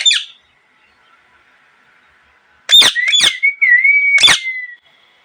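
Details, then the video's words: A parrot gives a brief screech, then after a pause two harsh squawks quickly followed by a wavering whistled note. Another squawk cuts across it before the whistle slowly falls away. "Parrot Chirping Sounds"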